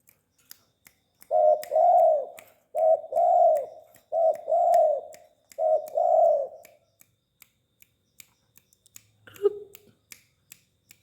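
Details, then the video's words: A tame spotted dove delivers four quick coo phrases in a row, each a short note and a longer rounded hoot. Then the dove falls quiet, leaving scattered clicks and a brief faint noise. "Burung tekukur jinak bekur"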